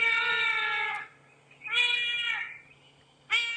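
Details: Recording of a Trumpeter Hornbill played for reference, three nasal, wailing cries like a baby crying, the first about a second long, the last short, with brief silences between.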